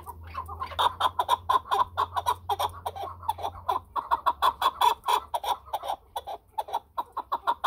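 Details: A chukar partridge calls continuously for nearly eight seconds: rapid, rhythmic chuk-chuk clucks with a rich, harsh tone, briefly faltering twice before picking straight back up.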